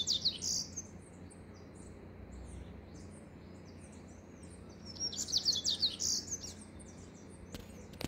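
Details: Singing Rusty-collared seedeater, giving quick high twittering phrases at the opening, a pause, then another run of sharp, rapidly repeated chirps, ending with a single loud click.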